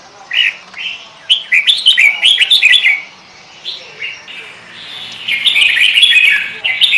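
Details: Kutilang in full, lively lure song: a burst of quick liquid whistles and gurgles, a short pause, then a longer continuous chattering warble at the end.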